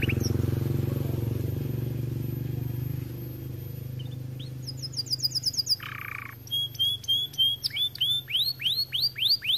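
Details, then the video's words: Canary singing after a low hum: fast high trills, a buzzy burst, then quick rising whistled notes repeated several times a second. "Kenari gacor"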